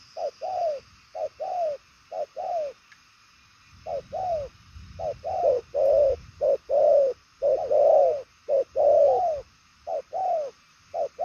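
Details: Purple-legged spotted dove cooing strongly, praised for far-carrying, fast-paced cooing style: low, hollow coos alternating short and longer notes, repeated about once a second with a brief pause near two seconds.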